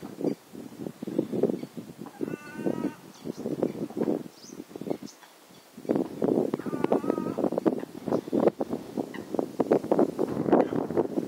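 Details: As an eagle flies over a pond, birds of several species call in warning: dense, hoarse, clipped notes repeated rapidly, twice broken by a drawn-out nasal call with layered overtones, before a brief lull.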